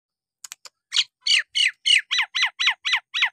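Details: Nias hill myna singing energetically, used to provoke lazy birds into singing again: a few clicks, then a steady series of about ten harsh, downward-sweeping squawking notes repeated several times a second.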